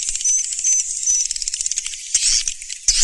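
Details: Swiftlet chatter in the "Surya Mentari" style: busy, very high, scratchy twittering with brief thin whistled notes early on and a louder burst of chirps near the end.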